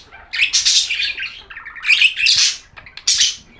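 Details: Budgerigar warble: short loud phrases of scratchy, buzzy chirps and squeaks in three or four bursts with brief quieter gaps between them.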